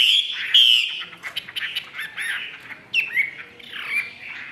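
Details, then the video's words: Caged Chinese hwamei from Vietnam giving short bright whistled notes, then quieter warbled and harsh phrases with a few sharp rising whistles. "HM 617 NGŨ TRƯỜNG ĐẦU XÀ XÒE HẾT ĐUÔI"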